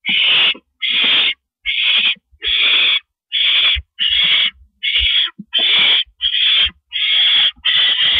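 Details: Evening of April 16, 2012, a male barn owl delivers food to his mate on a porch; about ten harsh hissing screeches follow one another at a regular pace, separated by short silent gaps, with light knocks below.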